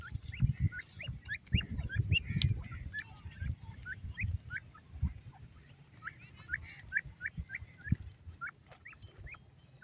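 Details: Male and female grey francolin calling: sharp upward-sweeping notes in quick series, two bursts separated by a gap, with low-pitched rumbling and thumps underneath.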